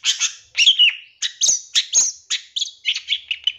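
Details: Long-tailed shrike song used as a master recording for training captive birds, in a full, varied, loud 'isian nembak' style: bright, high chirps and slurred whistles in quick bursts with short gaps between them.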